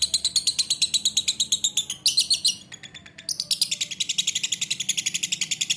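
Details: Lovebird ngekek chatter: a dense, high, buzzy rattle of quick repeated notes. It shifts pitch briefly near two seconds and dips into a short half-second lull, then carries on energetically to the end.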